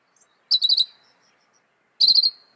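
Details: Northern mockingbird song: two quick bursts of rapid, repeated chirpy notes, each phrase under half a second, separated by a pause of over a second, on a clean quiet background.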